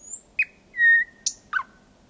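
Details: Thrush nightingale singing at night at 01:23 on 8 May 2020 in Kiili parish, Estonia, about 4–5 metres away: a few separated notes, a sharp click, a drawn-out pure whistle, then two short chirps, with quiet background.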